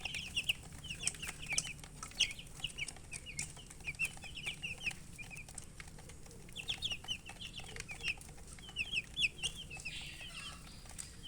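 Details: Thirsty baby chickens wanting drinking water give high, thin, downslurred peeps in quick bursts of several notes, with short pauses between clusters and faint rustling underneath.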